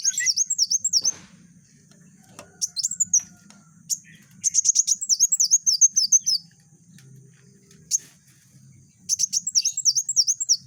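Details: Chatty Van Hasselt's sunbird delivering dense rapid-fire song meant for training other birds: repeated bursts of high, swooping chirps in quick succession, separated by short pauses, with a faint low hum underneath.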